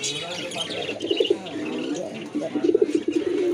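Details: Pigeon cooing: low, throaty, warbling coos in two short bursts, the second longer and rolling, over a busy background with scattered high chirps from other birds.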